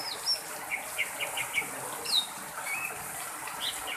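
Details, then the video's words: Wild greater green leafbird from the Aceh forest, a recording used to lure wild birds: quick, sharp chirps and short whistled slurs in irregular bursts over a soft, constant hiss. "koleksi cucak ijo untuk pancingan yang liar"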